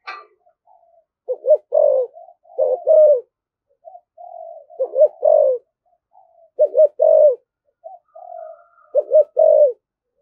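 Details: Hard-driving 'thổ thúc gù' coo of a spotted dove: soft purring lead-ins followed by two or three low hollow coo notes, the phrase repeated four times at steady intervals.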